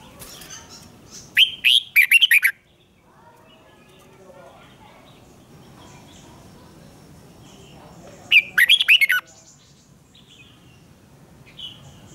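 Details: Red-whiskered bulbul in a singing duel, used to train voices and fire up birds for competitive morning singing: two short, loud warbled phrases of rising and falling whistles, about seven seconds apart, with a low background hum between them.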